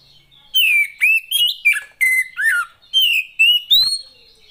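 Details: Oriental magpie-robin female, whose voice is played to stir reluctant males into singing, gives a quick string of about ten loud whistled notes, some rising, some dipping, with bright metallic overtones.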